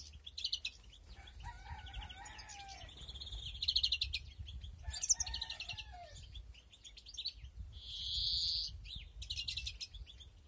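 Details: Breeding European greenfinches in an aviary, 2021, alternating twittering bursts with lower falling whistles, and a long nasal buzzing wheeze near the end.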